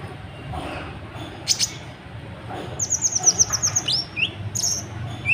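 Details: Sunbird, called kolibri ninja, singing restlessly to provoke other birds into song: a fast series of high chips near 6k, followed by short sweeping whistles and a final high note, over low background noise.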